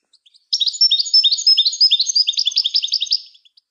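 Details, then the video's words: European goldfinch in song, played to train and stimulate songbirds. A single sharp-onset phrase of quick, high, repeated chirping notes runs for about three seconds before tapering away. Otherwise silent. "The Art of Goldfinch Singing"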